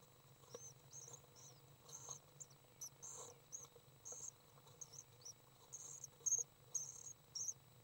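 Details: Three young common swifts during a feeding session on May 30th 2012, giving thin, very high chirps in short separate bursts, irregularly spaced, over a steady low hum.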